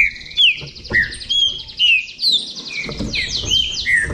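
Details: Trinca-ferro from Bahia in a song contest: clear downslurred whistles repeated about twice a second over a buzzy, chattering background of other high notes.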